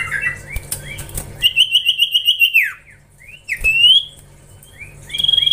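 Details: Young Common Iora (cipoh) in training: scattered short slurred chirps, then a fast, even whistled trill held about a second before dropping away, a bright rising whistle, and a final trill beginning.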